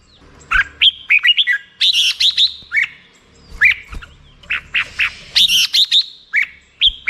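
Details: Chirpy, whistled song of a black-crested bulbul in fast repeated bursts, short slurred notes clustered into phrases across the recording.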